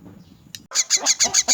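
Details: Orphaned, crippled myna being fed, giving a burst of about six harsh, grating calls in quick succession after a brief click and a moment of quiet.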